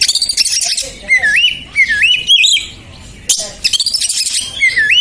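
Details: Agitated oriental magpie-robin, played to provoke and train caged birds: repeated loud, wavering whistles that rise and fall, mixed with bursts of fast high chirps and a sudden sharp break near the middle.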